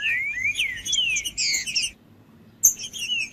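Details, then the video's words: Green-winged saltator singing to warm up a cold, non-singing bird: rich whistled phrases slurring up and down, a short pause, then a sharp high note and further whistled slurs. "TRINCA-FERRO CANTANDO/ESQUENTAR TRINCA FERRO FRIO"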